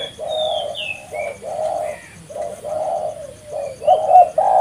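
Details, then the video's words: Spotted dove in full voice, kept for luring: steady run of soft, hollow coos in rounded phrases, with thin high rising whistles from another bird. "suara burung tekukur gacor paling ampuh untuk pikat dan pancingan"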